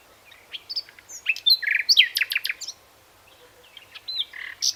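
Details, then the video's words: Common nightingale, Luscinia megarhynchos, in song: a dense run of chirps, rattling notes and varied whistles, a brief pause, then a fresh phrase of whistled and buzzy notes. "Појот на славејот / Nightingale song"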